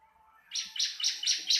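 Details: Bar-winged prinia, locally ciblek: four quick, bright, high chirps in close succession, with a low hum faintly audible underneath.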